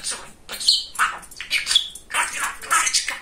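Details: Talking pet male budgerigar: quick chattering syllables mixed with brief bright whistles, delivered in a lively, speech-like flow.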